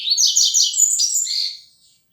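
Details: Double-collared Seedeater, young bird of the 'flecha negra' tournament line, singing more steadily now: a loud, dense, high warbling run of about 1.7 seconds that fades out at the end.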